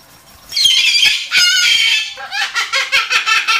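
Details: Cockatoo screeching loudly: one long, harsh, grating scream, then a burst of rapid, choppy, repeated squawks in an indoor setting.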